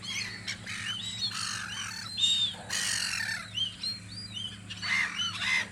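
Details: At the gulls' guard post on Audru polder in spring, loud squawking and ringing arched calls burst from many birds at once, with a brief rushing noise midway and a low hum behind.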